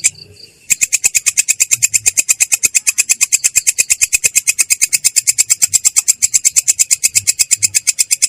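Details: After a short quiet start, a long-tailed shrike breaks into a sustained rolling song, clear and harsh in voice, with rapid high rasping pulses steadily repeated near seven per second.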